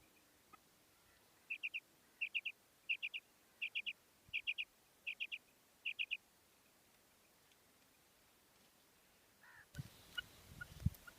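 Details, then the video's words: Common quail, female, calling: seven evenly spaced triplet bursts of high, clipped notes over steady hiss, then a brief burst of rough noise near the end. "Female Batair Ki Awaz|Maadi Batair Ki Awaz new| Common Female Quail Calling|New maadi Batair Ki Awaz"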